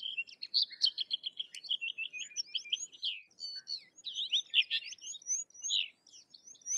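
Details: Sykes's lark pouring out a continuous, varied high-pitched warble mixing fast trills, buzzy slurs and sharp chirps with hardly a break.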